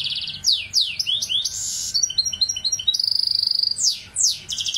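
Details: Goldfinch hybrid singing a loud, fast, varied song: sweeping downslurred whistles, buzzy notes, a rapid even rattle near the middle and twittering trills, all high-pitched and in quick succession, with a faint low hum underneath.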